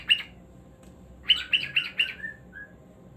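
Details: Pet cockatiel chirping: one sharp note, a silence, then four rapid raspy chirps and two softer trailing whistled notes that fall away, against a faint constant hum.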